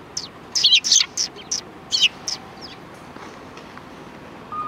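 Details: Sparrows at a Tenmangu shrine in early January 2020 give a quick run of sharp, high chirps in the first two seconds, then fall silent over a quiet outdoor background.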